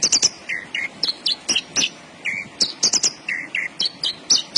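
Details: Lively Javan bush lark (branjangan) song mixing very high sharp notes with lower slurred whistles, delivered in fast busy phrases with short pauses, against faint background hum.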